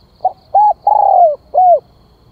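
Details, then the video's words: Calling spotted dove used as a lure: one full phrase of a brief soft note, a clear coo, a long buzzy coo sliding downward, then a short falling coo, over quiet background. "Tiếng Chim Cu Gáy Gọi Kích Mồi"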